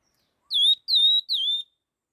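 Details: Rapid laughingthrush phrase of three bold whistled notes, each falling briefly then flattening, spaced about half a second apart, with nothing else audible.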